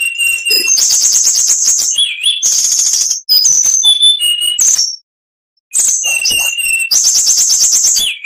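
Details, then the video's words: Oriental magpie-robin singing a full, varied song meant as training material for other cage birds: loud, rich whistled phrases mixed with buzzy, fluttering notes and sliding slurs, delivered in one- to two-second bursts, with a short pause midway. "MASTERAN KACER .MATERI FULL"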